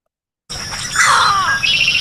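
A Green Heron gives a single harsh, downslurred squawk over a steady hiss.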